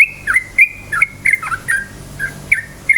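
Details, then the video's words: Yellow-vented bulbul song played to rouse other bulbuls, made of clear whistled notes that drop in pitch, delivered in quick regular succession with small pauses between phrases. "suara KICAU burung trucukan gacor cukcuk ropel, pancingan bagus trucuk jadikan trucukan ropel EMOSI"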